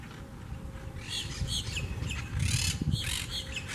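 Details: Wild Quaker parakeets at their communal twig nest in a palm by a Southwest Florida beach; overlapping shrill, grating squawks building after a quiet start, with low rumbling wind noise.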